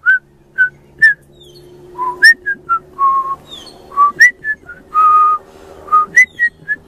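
A young pied butcherbird sings clear, flute-like whistled notes, mostly single and sliding, about two every second, over a faint low indoor hum.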